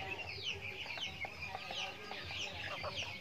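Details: Chickens eating feed in a backyard farm; rapid curved chirps rise and fall several times a second, mixed with short lower clucks.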